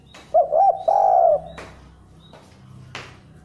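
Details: Spotted dove cooing, used as a lure recording to get other doves calling; one phrase of two short hooked coos followed by a long, steady, mellow coo, with a faint clatter afterwards.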